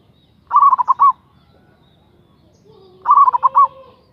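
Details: A local zebra dove used as a lure to provoke a rival gives two rapid bubbling coo phrases about 2.5 seconds apart. A faint, smooth rising tone runs under and after the second phrase.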